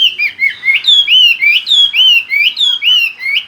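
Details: Chinese hwamei in full song, a series of loud, clear whistled notes, each sliding up then down, repeated about four times a second in a steady rolling phrase.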